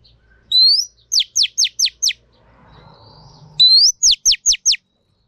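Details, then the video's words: Female Oriental magpie-robin kept for song training, meant to stir males to sing: a rising whistle followed by five quick descending notes, the phrase given twice with a short pause between. "Choè than mái kích trống hay nhất"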